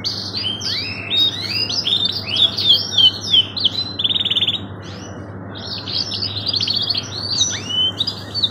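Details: Canary training song in the cengkok mewah style: quick chains of rising and falling whistled notes, buzzy rattles and trills, with one long upslurred whistle near the end, over a constant low hum.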